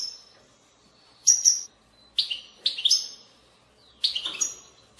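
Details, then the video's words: European goldfinch song in the bitbita style, played to stimulate goldfinches to sing: short bright twittering bursts separated by pauses, the bursts sharp and high, with a quiet background. "أقوى بتبتة لتحفيز الحسون على التغريد"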